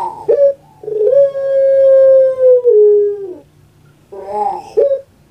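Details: A pet puter pelung dove, a breed famous on Java, Indonesia. It gives a gruff clipped note, then a long smooth held coo that falls away, then a pause and a burst of wavering guttural notes.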